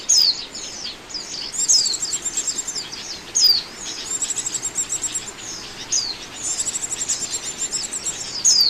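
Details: Oriental white-eye used as a trapping lure, giving high sweet descending whistles between rapid twittering passages, a strong whistle roughly every one and a half seconds.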